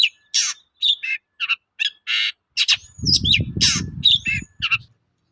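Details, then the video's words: Long-tailed shrike singing as a lure for other shrikes: harsh grating notes alternating with short whistles and chips, while a burst of low rumbling noise intrudes midway. "BANYAK CENDET NYAUT MENDENGAR SUARA BURUNG CENDET GACOR INI"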